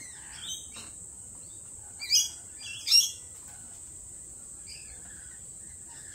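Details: At a lorikeet cafe, a lorikeet gives two short, sharp screeches about a second apart, with a few faint chirps before and after and a constant high whine behind.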